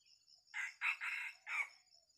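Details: Sumatran red junglefowl crowing during traditional decoy trapping in a small oil palm stand. A short burst, a long hoarse middle section and a quick final note, over steady high insect buzzing and faint distant birds.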